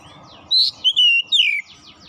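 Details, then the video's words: Short gacor phrase from an oriental magpie-robin, four loud whistled notes, the last sliding downward, against a faint background hum. "Kacer cepat keluar suara gacor"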